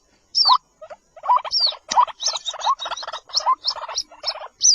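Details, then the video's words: Baby white-breasted waterhen: a few high, downslurred squeaks, then a run of harsher, rattling lower notes with short high peeps, broken by brief silences. "White breasted Waterhen Baby ki awaaz"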